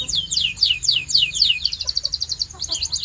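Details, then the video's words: Canary song for coaching: rapid high down-slurred notes run together into a quick, twittering, high-pitched trill. "This Singing Canary Will Make Yours Sing Instantly!"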